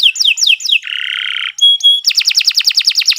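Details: Canary song used as a master recording for training, long continuous singing: descending whistled slurs, a buzzy harsh trill, clear held whistles, then a rapid rolling trill of repeated notes.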